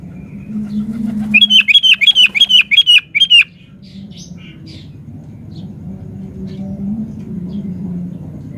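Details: A sooty-headed bulbul sings energetically as a lure meant to make other birds respond. It gives a quick run of about ten loud, evenly spaced, chattering notes lasting two seconds, then quiet with a low hum.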